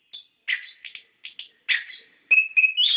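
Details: Orange-headed thrush lure song for captive birds: short spaced chirps and harsher bursts, finishing in a run of clear rising whistles.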